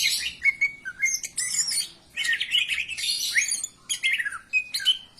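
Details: Greater green leafbird song for stimulating other birds to sing: energetic bursts of chattering warble interspersed with clear, level whistled notes, separated by short pauses.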